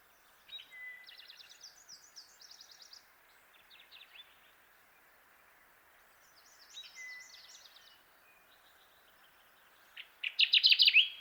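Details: Kirtland's warbler song: a loud, rapid burst of repeated sharp notes near the end, following several seconds of faint, high twittering and trills from other birds in the background.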